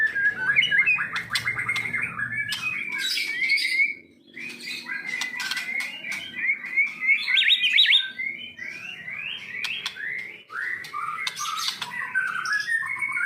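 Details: White-rumped shama of the Medan type, kept and trained for competitions, sings a long, busy medley of chattering, clicking and whistled notes with rapid changes of pitch and short breaks.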